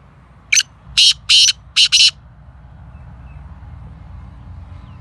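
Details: Black francolin (Kala Teetar) calling: one short sharp note followed by four harsh, grating bursts, all within about a second and a half, then quiet with a low background hum.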